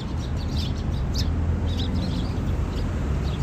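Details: A noisy flock of sparrows on 15 March 2022, giving scattered sharp, high tweets in uneven clusters, half buried under a steady deep background roar.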